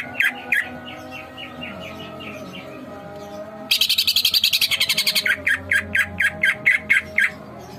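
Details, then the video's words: Greater green leafbird (cucak ijo), singing vigorously in a masteran song. It opens with soft, spaced chirps, bursts into a rapid buzzy rattle, then gives a series of sharp, loud chirps at a steady pace. "masteran cucak ijo gacor"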